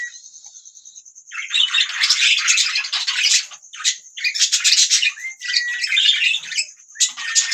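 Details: A thin steady whistle comes first, then budgies break into bouts of raspy, high chirping chatter separated by short pauses, with a couple of rising whistled notes.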